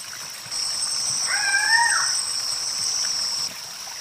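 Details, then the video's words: A single Guianan cock-of-the-rock gives one nasal, harmonic squawk lasting under a second, rising slightly then falling, over steady high insect-like whining tones throughout. "CANTO DO GALO DA SERRA, GALO DA SERRA CANTANDO MUITO!"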